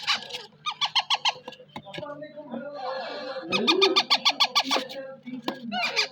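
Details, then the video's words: A talking rose-ringed parakeet gives a run of squeaky, speech-like syllables. They come in quick pulses, with a low indoor hum underneath and some rising, warbled sounds in the middle. "Talking Raw Ring nek"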